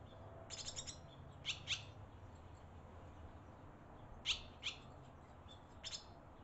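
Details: Barn swallows at a nest in Las Cruces, with young being fed by parents: short, sharp, high chirps in small clusters every second or two, with pauses between, over a low steady rumble.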